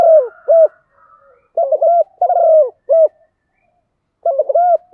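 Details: Spotted dove calling the flock in the morning, bổ một style: low hollow hoots, a buzzy rolling coo and a final doubled hoot after a pause, with faint higher notes in the background.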